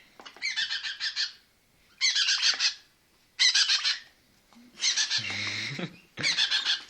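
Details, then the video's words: A young red-rumped parrot gives bursts of harsh, raspy, high-pitched chattering calls, each about a second long, repeated every second or two. "Baby red-rumped parrot"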